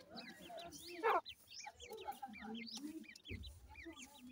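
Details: Numerous young black francolins peep in a dense chorus of brief, high, arched chirps, with one loud rasping note about a second in and a low thump later.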